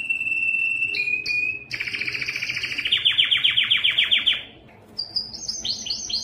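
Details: Yellow canary singing: a steady whistled tone near the start, then a fast run of repeated rising notes, a brief pause, and high sweeping chirps at the end.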